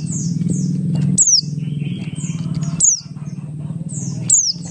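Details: Lure recording of a Buxtoni Oriental white-eye, meant to prompt other white-eyes to sing, with short thin downward-sweeping whistles recurring roughly every one and a half seconds above a constant low drone.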